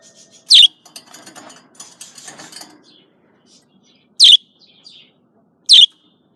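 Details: Female budgerigar chirping: three loud, sharp chirps that sweep down from high to mid pitch, spaced irregularly, with soft scratchy chatter and faint rustling between the first two.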